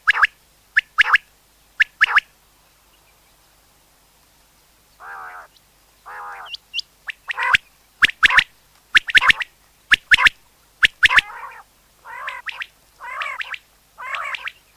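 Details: Common quail calls played for hunting: sharp clipped notes in quick pairs and triplets repeated about once a second, alternating with softer, longer nasal rasping notes, and a silent stretch in the middle.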